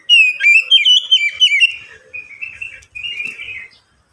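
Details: White-rumped shama song meant to get other shamas singing: a rapid run of loud, looping whistled notes in quick succession, fading into softer warbling chatter before ending.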